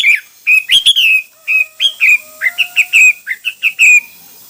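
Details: Varied hwamei song made of clear whistled notes that slur downward, given in quick uneven sequence with a few sharp accented notes, loud and close throughout.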